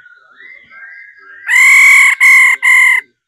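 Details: Female laughingthrush calling to spur males into song. Soft rising whistles lead into three loud, blaring, buzzy notes, the first longest, separated by short gaps.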